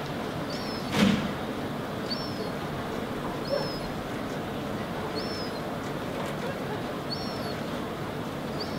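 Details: A Herring Gull fledgling standing on rocky ground in Helsinki, Finland, in August 2016, gives thin, high whistled notes that rise and drop, repeated about every one and a half seconds, over steady rumbling background noise and a single thump.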